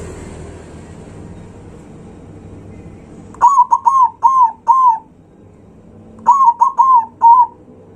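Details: Zebra dove singing loudly to provoke rival birds, two phrases of four or five rapid, hollow coos each, sharply attacked and slightly falling, about three seconds apart.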